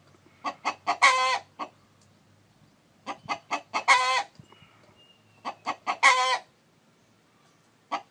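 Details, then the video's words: Chicken, with a rooster calling while a hen sits on eggs: three bouts, each a run of three or four short clucks leading into a loud, harsh, drawn-out squawk, repeated about every two and a half seconds. "Gà trống kêu mái ấp trứng, âm thanh gà gáy"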